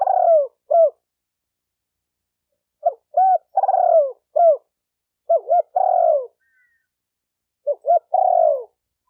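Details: Repeated spotted dove phrases, intended to excite decoy, male and female birds: quick paired clipped notes leading into a long, rolling, down-slurred coo, four phrases spaced about two seconds apart, with a quiet background.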